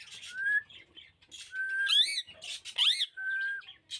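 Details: A pet green rose-ringed parakeet talks in fast, scratchy, voice-like syllables broken by clear whistled notes that rise and sweep in pitch; recorded January 11, 2024.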